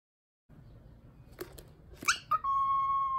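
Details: Pet cockatiel whistling a tune from My Neighbor Totoro: a few short chirps, then a long, steady, pure whistled note held for almost a second at the end, over faint room hum.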